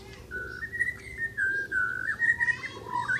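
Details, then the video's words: Asian brown flycatcher in full song, giving a continuous wavering whistled warble that rises and dips in pitch, with a faint steady hum behind. "Burung mure bordan gacor"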